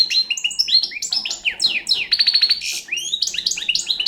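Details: Fast, liquid twittering from a young Balkan European goldfinch: high chirps, downslurred notes and a rapid buzzy trill run together without pause.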